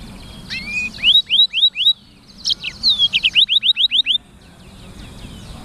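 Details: Black-throated canary (sanger) singing a fast series of clear, rising, upswept notes repeated about four times a second in two phrases, with a brief pause between them and a quiet background.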